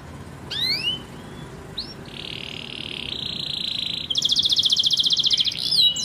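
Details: Canary in full song, offered as a training song for young canaries and for birds that have stopped singing: a few rising whistled notes, a long buzzing trill, then a loud, rapid pulsed trill, higher in pitch.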